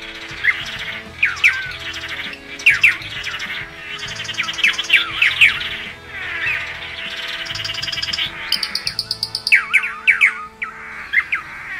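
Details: Blue Manakin (tangará-dançarino), a bird of the Brazilian Atlantic Forest. Bursts of bright, slurred, down-curving whistled notes come in clusters every second or two, with a quick rattling run near the end. Soft instrumental music plays steadily underneath.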